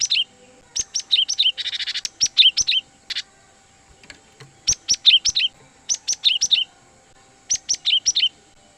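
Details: Lure calls of a cinereous tit for attracting and trapping wild birds: dense runs of sharp, high, downward-sliding chirps mixed with a brief buzzy rattle, grouped in bursts with short pauses between them.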